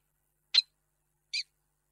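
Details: Peregrine falcon on 2 March 2022, giving a longing call for a mate that did not arrive: two short, harsh, high-pitched notes nearly a second apart against a quiet background.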